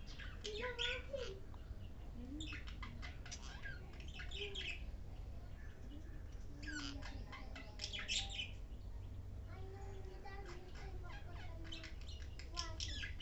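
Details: An angry parrot meeting a budgie for the first time and trying to bite it gives harsh, buzzy squawks and chattering bursts over a steady low hum.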